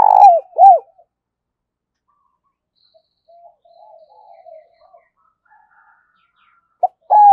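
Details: Spotted dove used as a lure, 'giọng thổ' voice style. It opens with two strong falling coos ending a phrase, then soft faint murmuring notes, and near the end a short note and coo start another phrase.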